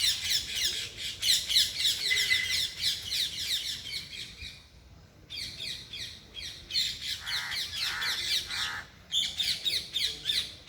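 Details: Loud parrot chatter in nature: rapid raspy chirps at close to four per second, broken by two short pauses, then resuming just as intensely.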